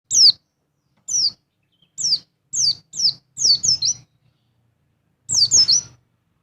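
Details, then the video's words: Mountain white-eye double call, used to raise a male's breeding urge: high, thin downslurred whistles, given singly, then in pairs, and finally as a quick triple, with short gaps between bursts. "Call Dobel Pleci Wilis Menaikan Birahi Pleci Jantan"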